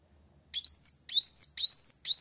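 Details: A sunbird challenging a rival gives four high, sweeping notes, each a quick rising slur, spaced about half a second apart, with nothing else heard.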